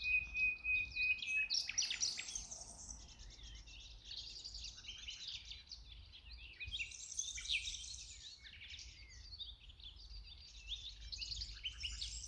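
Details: Wild common nightingale in the green fields of Ribagorza, opening with a sustained thin whistle, then dense, jumbled high chattering and trilled phrases that continue almost without pause over low background rumble.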